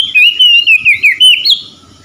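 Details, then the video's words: Oriental magpie-robin (kacer) singing, a recording meant to restore stressed, silent birds to full song: bright, fluent whistled warbling with slurred downward and upward inflections, ending on a higher note before fading. "PEMULIHAN KACER SETRES MALAS BUNYI LANGSUNG GACOR"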